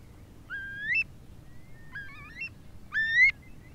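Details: Alarm calls of a Eurasian Curlew that has left its nest and circles the territory during the breeding season, recorded in 2017: three ringing, upslurred whistles, the middle one broken into short stepped notes, above faint low background noise.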